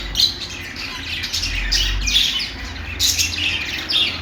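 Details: Budgerigar, also called parakeet or Australian parrot, giving sharp scratchy chirps and squawky bursts separated by short gaps, some notes piercingly high, over a faint low background hum.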